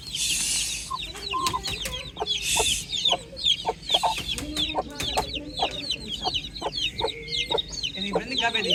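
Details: Morning farm chicks chirping in high, downward-sliding peeps. Lower clucking notes mix in, with two short bursts of hissing noise near the start.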